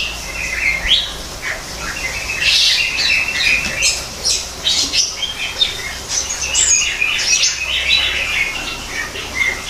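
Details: Greater green leafbird in an aviary mimicking forest habitat, pouring out a continuous jumble of chirps, squeaky whistles and rasping notes at a steady loudness.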